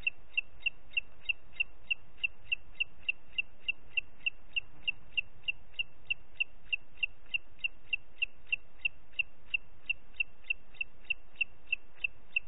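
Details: Booted eagle at Parc Natural dels Ports on a late June 2021 morning, delivering an unbroken, steady series of about forty high, sharp whistled notes, roughly three each second, over faint background hiss.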